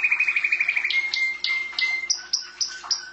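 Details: Pet canary singing indoors: a fast series of bright repeated notes, then longer whistled tones held at steady pitches, broken by sharp high chips every few tenths of a second.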